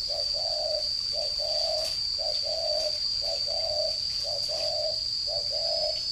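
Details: Caged Spotted dove used as a decoy bird, recorded 11 June 2018 in northern Vietnam: soft low coos in repeated two-part phrases, a short note then a longer one, about every second, over a steady high whine.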